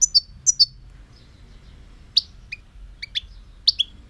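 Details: Scattered, high European goldfinch notes: paired bright chips early on, then sharper single and double twitters at irregular intervals over four seconds.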